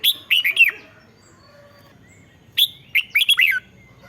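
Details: Song of a red-whiskered bulbul, used to excite caged birds: two lively phrases of rapid slurred whistles, each rising then dropping in a rollicking run, separated by a quiet pause of about two seconds.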